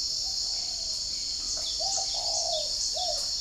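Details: Kept spotted dove in northern Vietnam (Ba Vi, Hanoi) answering wild doves outside on a morning. Low, smooth coos, one drawn out, follow in a quick series while a dense insect drone and light chirps fill the background.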